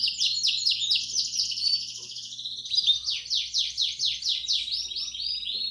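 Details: Bell-style ('campainha') song of a Belgian canary, meant for training chicks to sing: repeated sweeping downslurred notes in quick succession, a smoother rolling stretch, then another run of sweeping notes.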